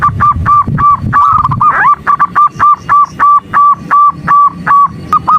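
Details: Female zebra dove calling the male to stir his response: steady, fast train of short hooked mid-pitched notes, about three each second, over a low rumbling background.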